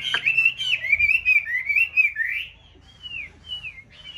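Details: White hwamei in a conservation aviary in a mountain town, one of a pair in breeding season, singing while nest building: rich whistled phrases rising and falling, run together for over two seconds, then sparse sliding whistles with a low background hum.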